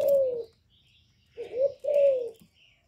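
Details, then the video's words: Low, mellow spotted dove coos, a falling drawn note followed by a quick rising-then-falling pair, recorded cleanly to encourage caged doves to call. "Cu gáy lớn tiếng, không tạp âm, giọng hay dễ mở, cu gáy kích bổi, cu gáy đi bẩy, cu đất gáy, cu cườm"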